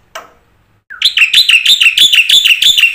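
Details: Black-winged myna giving a full, varied song used as a lure to get silent mynas singing. A brief harsh note, then a loud run of rapid, buzzy, chattering notes repeated several times a second.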